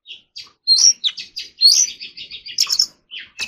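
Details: Oriental magpie-robin practising its forest-voice style song during song training: a quick run of short, varied whistled and chirping notes, some sliding upward, high-pitched and bright, with brief gaps between phrases.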